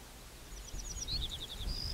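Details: Little bunting singing: thin, very high ticking notes followed by a quick run of short, slightly lower chirps and a brief drawn-out high note, fairly faint over low rumbling background noise.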